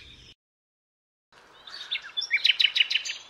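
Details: Common Nightingale song, played as a blind-test clip: after a brief gap, a fast series of loud, repeated sharp notes at a rapid, steady beat, preceded by faint high twittering.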